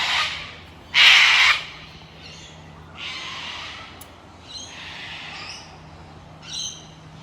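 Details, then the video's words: A group of cockatoos in Australia gives harsh, raspy, cawing screeches: one loud, grating burst, then several fainter ones about a second apart over a low steady hum. "If you hear that cawing in the background, that is a group of cockatoos."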